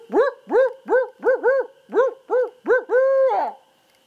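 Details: Barred owl called in by a person: a rapid run of about nine arched, harmonic hoots, roughly two each second, closing on one longer drawn-out note that trails downward.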